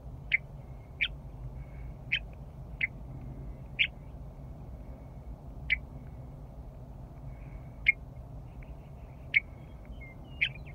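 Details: Vocal western meadowlark returning in spring to Rocky Mountain Arsenal National Wildlife Refuge, sitting still near a vehicle on the loop drive, gives about ten short, sharp chip notes roughly one second apart above a constant low motor hum.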